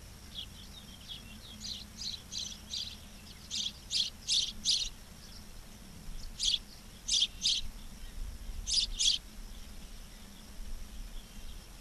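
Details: Ospreys calling at a Charlo, Montana nest cam, 06/07/2023, 11:36: soft high chirps build into loud, piercing paired notes, bursts separated by short pauses, over quiet low hum.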